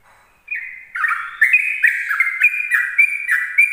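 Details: Sooty-headed bulbul in morning ropel song, a lure for other bulbuls. A short soft note leads into a tumbling stream of warbled, downslurred phrases that grows louder, about two a second, in clean quiet surroundings.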